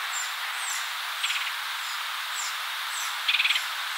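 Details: A nesting Red-headed Woodpecker feeding a chick in Cook County, Illinois, in spring 2020 gives two short, rapid chattering bursts, a few pulses each, about two seconds apart, over a steady high hiss of insects.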